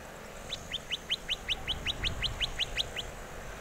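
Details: Western rock nuthatch recorded in May 2023 near İzmir, Türkiye, producing a quick, even string of about thirteen bright, rising notes, with a low rumble of background noise underneath.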